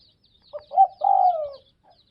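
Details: One Tây Bắc (Northwest) spotted dove phrase: two brief low hoots, then a sustained, wavering coo that slides gently downward and fades. Soft high twittering sounds behind it.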